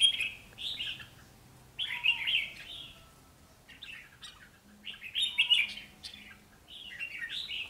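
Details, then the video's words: Two caged red-whiskered bulbul decoys in a solo singing contest: short, bubbly, warbled phrases of about a second each, repeated roughly every two seconds, with a faint low whistle from another bird between them. "Hai chú chào mào mồi so lo ché"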